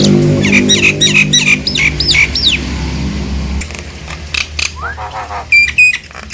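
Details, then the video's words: Lure recording of a Nias hill myna meant to stir quiet mynas into singing. Sharp, hooked whistles repeat rapidly, joined by a low voice-like droning sound early on, then scattered squawks and a rising slurred whistle. "Pancingan jalak nias agar jalak yang diam langsung esmosi dan ikut bunyi"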